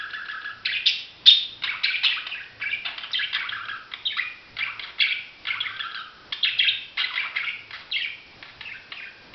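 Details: Budgerigars calling: continuous busy chatter of warbled chirps and scratchy squawks, several voices overlapping without a break, with a faint low hum underneath.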